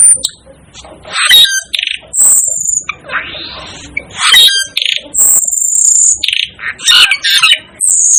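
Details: Harsh rasps and squawks alternate with long, steady high-pitched whistles from an Asian glossy starling, the 'devil' bird, in an irregular, noisy sequence.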